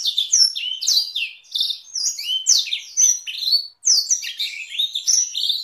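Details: Canary singing a long master song with Blackthroat-style roll variations, meant to tutor canaries and White-rumped Shamas: rapid high chirps, sweeping upslurred whistles and short buzzy rolls in dense unbroken phrases, one brief pause near the end, no other sounds.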